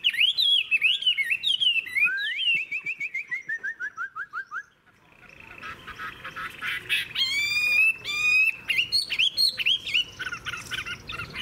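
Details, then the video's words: Wild-caught adult Chinese hwamei, fig-leaf tailed, kept as a long-session songster. Zigzag whistles lead into a quick descending run of repeated notes, then a short pause, then a tumbling medley of varied, buzzy and whistled phrases. "Họa mi già rừng hót hay - Đuôi lá vả - Trường chim"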